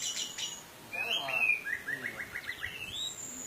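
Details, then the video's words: Orange-headed thrush singing in a lure recording meant to raise the mood of other birds and provoke them to sing: a varied run of clear whistles around mid-high pitch, then a quick stuttering trill of short notes, with faint high chirps at the start. "BURUNG ANIS MERAH TELER !!! | Isian Mewah"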